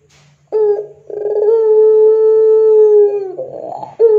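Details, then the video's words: Long drawn coo of a puter pelung dove, recorded as a lure for training: a rolling start swells into a smooth steady tone held nearly three seconds, then rough notes and a fresh coo. "SUARA PANCINGAN PUTER PELUNG GACOR COCOK UNTUK MASTERAN PUTER PELUNG apapun"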